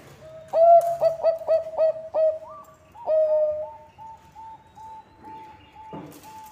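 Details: Singing Bangkok-type zebra dove, a recording meant as a lure for other birds: a burst of five rapid, rounded coos followed by a longer drawn note, then a run of softer, short level notes evenly spaced.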